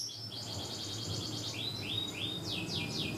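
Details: Cungkok song for training young birds: a quieter run of high pulsed notes, then a series of slurred rising whistles and steep downward sweeps over a hissing background.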